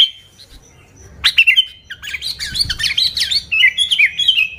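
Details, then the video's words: Sooty-headed bulbul singing as a lure for bulbuls, a lively run of rising and falling warbled notes after a short opening phrase, the song growing busier toward the end. "Suara Burung Kutilang Gacor ASLI Tanpa isian, Ampuh untuk Pikat Kutilang"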